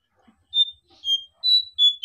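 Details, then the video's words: A Sunda bush warbler (brown jongkangan), recorded for use as a training and luring call, gives five clear, high, pure whistled notes, each about a third of a second, evenly spaced with slight shifts in pitch. "suara pikat burung jongkangan atau cingcoang coklat"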